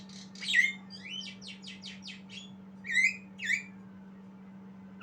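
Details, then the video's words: Learning Javan myna youngster opens with a rapid rattling series of scratchy notes, then gives two sharper squawks with falling whistled tails; a faint steady hum underneath. "Jalak kebo Belajar Bunyi"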